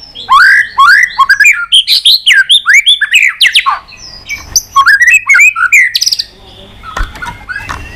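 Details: Fighting song of a white-rumped shama flicking its tail: dense, fast-changing series of loud rising and falling whistled notes with harsh squawky edges, a brief pause, then more rapid varied phrases fading out.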